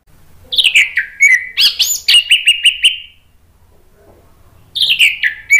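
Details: Loud orange-headed thrush song used to prompt a silent bird: varied slurred whistles that dip and rise, then a rapid run of repeated clipped notes, a pause, and another descending whistled phrase.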